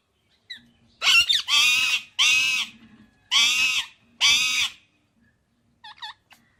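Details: Indian ringneck parakeet giving loud, harsh, drawn-out screeches in a series of four, each about half a second long, followed by a few soft chirps.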